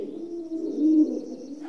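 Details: Rock dove giving one drawn-out, low, throaty coo that swells in the middle, with a faint high twitter in the background.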